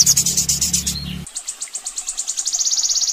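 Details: Sogon song from a master recording for training birds: a rapid series of high, sharp notes that speed up into a dense, even trill, preceded by a brief louder burst with a low electrical hum.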